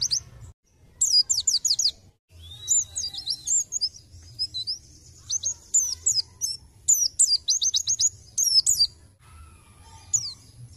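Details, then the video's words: White-eye (pleci) singing vigorously as bait song to lure other birds: rapid bursts of very high, thin chirps and trills, sharp descending notes in quick clusters separated by brief pauses, with a steady low hum underneath. "Pancingan Pleci Gacor Nembak"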